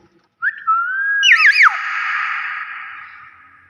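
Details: Captive common hill myna giving clear whistled notes: a short steady tone, then wavering looping whistles that drop away into a long fading hum, with a person talking before and after.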